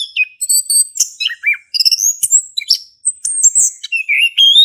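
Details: Orange-headed thrush male singing ngeplong, offered to get a quiet thrush singing; quick sequence of high twitters, looping whistles and a rising slurred note at the end, with brief gaps.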